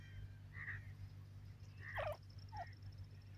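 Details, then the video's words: Young Grey francolins playing together in Pakistani woodland utter three soft, slightly hoarse chirps spaced about a second apart, with a faint low hum throughout. "baby pheasants get tired of playing in the forest,teetar chicks"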